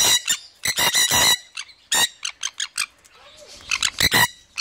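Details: A red-factor Jenday conure in a threatening posture toward its owner, treated as an intruder, gives harsh, raspy squawks in quick bursts, some grouped in threes and fours, with short pauses between clusters.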